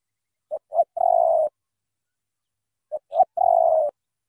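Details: Spotted dove from Cà Mau in Vietnam, with a powerful voice, delivering two three-part phrases, two quick clipped notes leading into a long, even, hollow coo, separated by about two seconds of silence.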